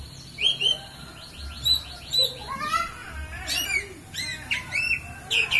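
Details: Oriental magpie-robin with song in the bido kelik style: loud whistled notes and quick rising and falling slurs, each followed by fast rattling trills, delivered in bursts about every second over a low background hum.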